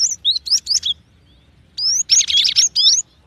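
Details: Cinereous tit giving high, sharp whistled notes in quick clusters. A short silence separates two bursts of bright, rising chirps.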